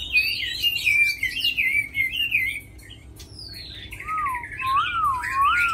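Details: Chinese hwamei, a tamed bird noted for fighting and singing well: loud, rich whistled phrases that slide and warble, a short pause, then clear looping lower whistles rising and falling, over a soft room hum.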